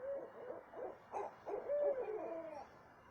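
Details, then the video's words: Owl heard at 2:30 am in south central Texas, uttering a few rough hoots followed by a sustained, slightly falling wail, with background hiss throughout. "what kind of owl makes noise like this"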